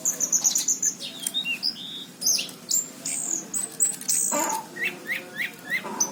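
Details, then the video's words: Vigorous song of an orange-headed thrush from Cirebon, recorded 2019: shrill high whistles, quick slurred notes and short rasping bursts, ending in a series of evenly spaced chip-like notes over faint background hum. "Anis cendana gacor"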